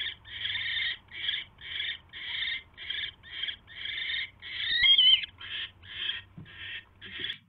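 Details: Owl nest, mouse delivery on the evening of January 29, 2016; a dozen rough hissing bursts in under eight seconds, one louder with a squeaky edge, soft knocks near the end.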